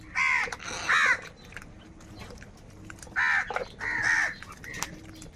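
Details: Crows fighting for food, angry: two pairs of loud, harsh, drawn-out caws, the first pair right at the start and the second about three seconds later, with quiet gaps between.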